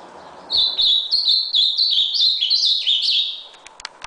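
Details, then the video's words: Azulão, the ultramarine grosbeak, delivering an energetic high warbled song: a rapid chain of sliding, looping notes of about four per second over roughly three seconds, ending with a few clicks. "Azulao red nose (tornado)"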